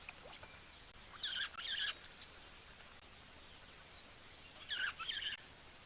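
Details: At a shallow waterhole pond, near rocks at a favourite drinking spot of small birds, one of a couple of starlings gives two brief bursts of scratchy, warbling notes about three seconds apart over soft outdoor hiss, under heavy cloud, 3 March 2024.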